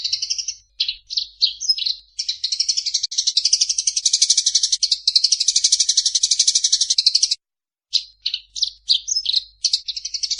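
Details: Eurasian tree sparrow fighting call used for training birds: dense, high, buzzy chirping and chattering, rapid and almost continuous for several seconds, a brief silence, then spaced sharp chirps resume.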